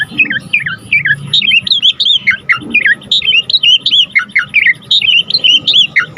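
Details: Asian pied starling in energetic song, used as a tutor and lure for other cage birds. It delivers a steady chain of short twisting whistled notes, rising and falling, roughly two or three each second, with a faint hum behind.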